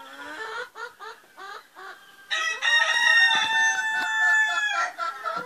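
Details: Rooster separated from the hens, crowing daily on its way to visit them; a series of short clucks leads into a long, loud, sustained harmonic crow that tails off into more clucking, with faint applause before.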